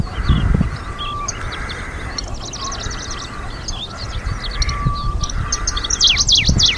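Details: Middendorff's grasshopper warbler, 2023, in a Hokkaido wildflower meadow where it breeds: several short bursts of rapid, scratchy descending notes, with strong wind rumble and a steady thin whine in the background.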